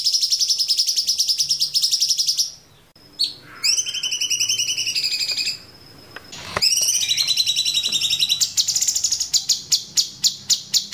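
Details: Sooty-headed bulbul (cucak cungkok) in a 'variasi ngeplong' masteran: long, fast, high, buzzy trills broken by short pauses and a thin steady whistle, ending in a series of evenly spaced sharp clicks.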